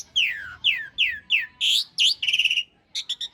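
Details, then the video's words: Asian pied starling in a long-rolling, rough-filled master song for tutoring cage birds: four descending slurred whistles about every half second, then a harsh buzzy burst, a grating rattled phrase and quick chattering notes. "Suara masteran jalak suren isian kasar roll panjang"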